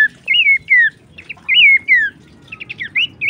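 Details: Horsfield's babbler, used for training songbirds, gives loud whistled notes that rise then slide downward, in twos, followed by a few shorter upslurred whistles.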